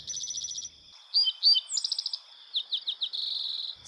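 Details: Three Spotted Towhees from different song neighborhoods in the same national park in North Dakota sing in quick succession, each a high, fast, buzzy trill, some led by a few brief sharp notes, showing local variation.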